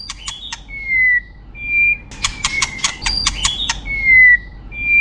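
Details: White-rumped shama, a champion competition bird, singing: bursts of sharp clicking notes alternate with long, clear, slightly falling whistles, with loud rapid phrases in the middle.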